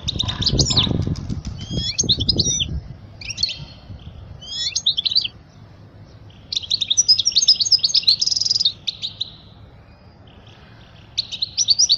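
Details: Goldfinch song for schooling young European goldfinches: jangly high twitters in separate bursts, a longer rapid chattering run midway, after a loud low rustle at the start.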